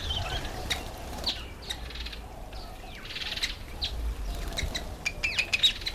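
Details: Cape weaver (Ploceus capensis) giving scratchy, buzzy chatter mixed with thin whistled notes and short rising squeaks, with low background rumble.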